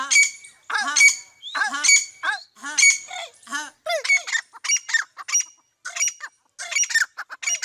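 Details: Partridge, called teetar, calling in a harsh, squawking series of chevron-shaped notes with a rasping buzz. Bursts come roughly every half second to second, briefly pausing between phrases.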